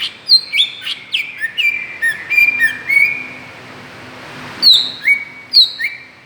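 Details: A greater green leafbird's lure calls to provoke other birds; a rapid run of downslurred whistles, then a pause and three more loud falling whistles.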